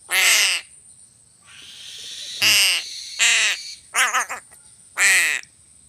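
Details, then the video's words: Crow calling while being fed fish: five loud, harsh, hoarse caws, each about half a second, at uneven intervals, with a softer rasping hiss between them and a steady high electronic whine in the background. "BURUNG GAGAK"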